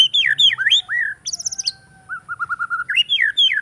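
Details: A captive male-style contest white-rumped shama sings from an iron perch, varied rich song mimicking other birds: looping slurred whistles, a high rapid buzzy trill, then a steady run of even repeated notes before more swooping phrases; faint low hum beneath.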